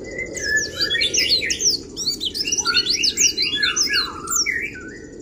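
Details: Kriwik-style Oriental white-eye song used to rouse rival birds: a dense, rapid run of high, sharp, slurred chirps and tweets, pouring out without pause over a steady low background hum.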